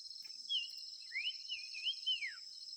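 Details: Five-coloured bird calling with softer, sliding whistled phrases, rising and falling in a linked wavy run, under a loud constant high-pitched buzz.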